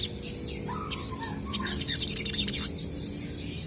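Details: Crested jays singing actively and answering each other: dense high chattering and rapid clicking notes, with a few lower, softer notes underneath and a faint steady hum in the background.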